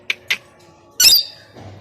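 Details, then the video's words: Plum-headed parakeet giving a single harsh, screechy squawk lasting about a quarter second, trailing off into a fainter rasp, preceded by two short sharp clicks in a quiet indoor setting. "The Plum-headed Parakeet Voice"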